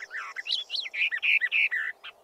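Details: Western Orphean Warbler, a scarce and elusive summer visitor, singing a fast run of short warbled, whistled phrases, some repeated; another bird answers more distantly in the background.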